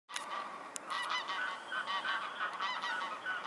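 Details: Mute swans at Loschwitz harbour in Dresden, Germany, recorded at night at 23:17 on 2 January 2018, giving a steady chorus of overlapping nasal honking calls from several birds, rising and falling through the whole stretch.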